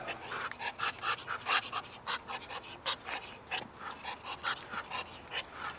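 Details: A duck that does not quack hisses while attacking the camera; a steady run of breathy, rasping hiss bursts comes roughly twice a second, each short and airy, with no other clear sounds.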